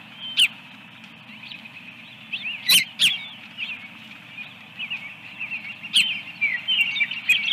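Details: Osprey at the egg nest at Dunrovin Ranch on the morning of 24 April 2022; loud, piercing high chirps in irregular bursts, with sharp clicks and knocks between them against a hissy background.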